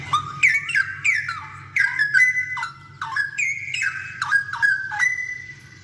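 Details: Vigorous straw-headed bulbul song used to teach other birds: a string of loud, warbling whistled phrases with sharp downward and upward slurs, pouring out almost without pause above a faint low drone.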